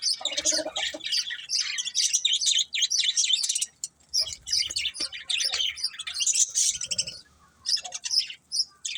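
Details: Budgies chattering in a busy, high-pitched stream of twittering, scratchy warbles, pausing briefly around four seconds and again near seven and a half seconds before resuming.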